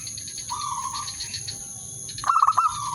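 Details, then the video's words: Zebra dove calling to lure a rival, a mating call: a drawn-out soft trill, then a burst of quick fluttering notes running into another trill, over a high steady hum. "burung perkutut/merbok pikat memanggil lawan bikin birahi gacor manggung"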